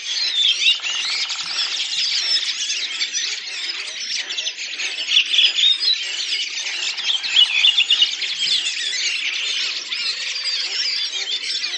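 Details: A flock of Redwings at Lipovaya Gora, Oka Nature Reserve, Russia, in April 2019 sings together in a dense, continuous chorus of high twittering, squeaky and chattering notes, with many voices overlapping throughout and no pause.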